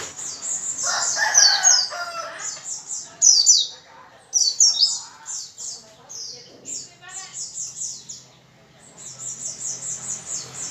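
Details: Energetic white-eye song meant to spur other white-eyes into singing: quick bursts of high, sharp chirps and trills strung into lively phrases with short gaps, plus a few lower, softer warbles early on.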